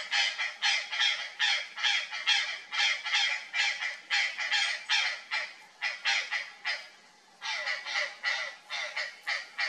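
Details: Startled purplish jay reacting to something strange in a bush: a steady string of harsh, raspy calls, roughly two per second for ten seconds, with a short break near the seventh second.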